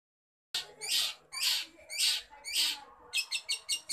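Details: Long-tailed shrike (cendet) singing energetically with a full repertoire: a string of loud, harsh, raspy bursts roughly every half second, then a quicker run of shorter scratchy notes at the end.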